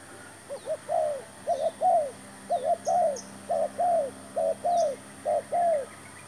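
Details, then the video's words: Spotted dove brought as a new decoy bird in a trapping attempt, calling in repeated phrases: two short cooing notes followed by a longer drawn-out coo, about six phrases in quick succession, with faint high chirps of other birds behind. "MEMIKAT TERKUKUR"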